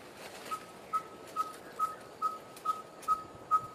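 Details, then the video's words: A Red-fronted Tinkerbird gives its monotonous call, a hollow mid-pitched note repeated about twice a second in a steady series over faint hiss. The call is often heard on hot days in midsummer. "Red-fronted Tinkerbird's monotonous call"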